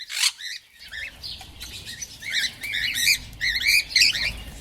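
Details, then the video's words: Rapid parrot chatter of bouncy, repeated two-part chirps, many notes a second, over a low background rumble after an opening harsh squawk. "Natural parrot sound | parrot sound | parrot sound effects"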